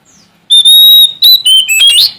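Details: Sumatran Oriental magpie-robin in full song, seeking a rival to challenge: a long steady clear whistle held for half a second, followed by quick varied whistled notes that dip and rise, ending in a bright upward flourish.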